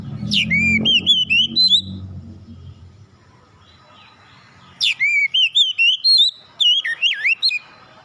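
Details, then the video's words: Oriental magpie-robin song used to prompt birds to sing: two bursts of rich, sweeping whistles with slurred up-and-down notes, a quiet gap between, and low rumbling noise at the start. "Pancingan Suara Burung Kacer"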